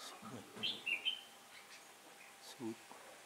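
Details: Decoy red-whiskered bulbul luring wild birds toward a trap, 15 October 2017, as the wind shifted. A short bright warble of a few notes is heard, with low murmuring voices before and after.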